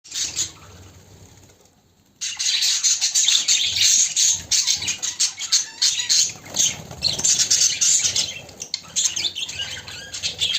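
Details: Pet budgerigars, including a white one said to be looking for a mate: after two quiet seconds, a dense, busy stream of high chirps, squeaks and warbled notes, several birds chattering at once with scratchy rustling.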